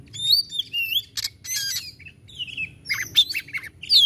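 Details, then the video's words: Oriental magpie-robin (kacer) singing vigorously in the 'tembakan' style: sweeping whistled notes mixed with harsh, buzzy bursts, delivered in rapid, uneven phrases with short pauses. "Suara Tembakan kacer Gacor"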